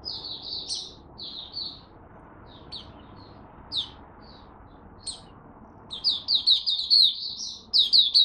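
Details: Caged Malaysian oriental white-eye in minor moult, singing off form: scattered high sharp chirps and brief twitters at first, building into a fast, continuous run of bright, rapid twittering notes toward the end.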